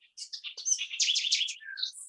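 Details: Northern house wren calling in the afternoon in gardens and mid-elevation forest at Arenal Observatory Lodge, Costa Rica: a rapid, bubbling jumble of high chirps and trills lasting about two seconds, ending in a thin downslurred note.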